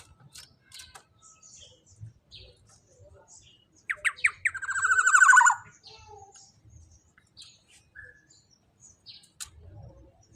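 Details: Black-naped oriole giving a loud call for songbird tutoring: quiet ticks and faint chirps, then three sharp rising nasal notes and an extended harsh buzzy note. A thin single whistle and soft clicks come afterwards.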